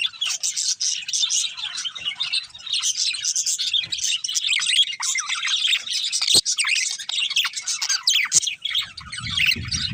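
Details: Budgerigars of a breeding pair keep up a busy, unbroken stream of buzzy chirps and warbles, with a couple of sharp clicks and a low rumble at the end.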